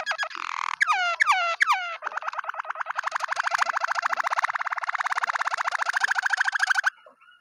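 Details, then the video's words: Waterslager canary singing: a few quick, sweeping downslurred whistles open, then a long, even, rapid rolling trill of low liquid notes runs for about five seconds before stopping abruptly. "canary water slaigar singing"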